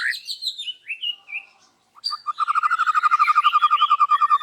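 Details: White-rumped shama in loud morning voice, unloading its fill-in song: descending varied whistled notes, a brief pause, then a long rapid chattering trill of evenly repeated low notes.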